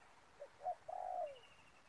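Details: Single cooing phrase from a decoy spotted dove used to lure wild doves into a ground snare: two brief soft notes, then a long, wavering coo that slides down at the end.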